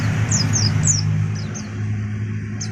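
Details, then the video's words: Untrained juvenile oriental white-eye giving a brief run of sharp, high, down-slurred chirps, three close together then two more and a last one, over a steady low engine-like hum. "Burung pleci bahan - kicauan burung"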